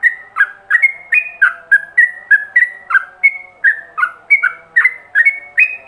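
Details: Yellow-vented bulbul ropelan song used to train other bulbuls; fast sequence of clear whistled notes, some level and high, others dropping low, about three each second, with a faint low hum.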